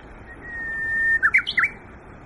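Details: In spring woodland at Yokohama Nature Sanctuary, a Japanese bush warbler sings one drawn-out clear whistle that brightens in volume, followed by a rapid twisting phrase of rising and falling notes.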